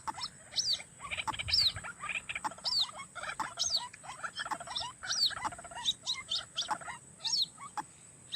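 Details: Roadside White-breasted waterhen, recorded by a trapper: short croaking phrases repeat roughly every second, mixed with sharp high chirps from other birds and a low background rumble.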